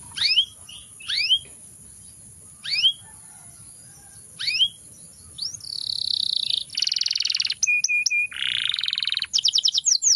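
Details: Canary song: several spaced pairs of sweeping whistled notes at first, then long buzzy rolling trills and rapid repeated chips, with a steady high hiss running throughout.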